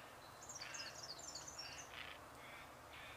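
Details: Dollarbird (Eurystomus orientalis), a summer breeding migrant in Australia, one of a pair in which one, probably the male, catches cicadas for the other: a fast, harsh chattering run of short high notes, then a few separate rasping calls, over faint hiss.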